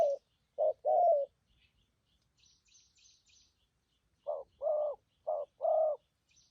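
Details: Spotted dove with good cooing for trapping, in thổ and phóng rước style: a brief run of short and long low coos, a pause filled with faint high twittering, then a second similar phrase.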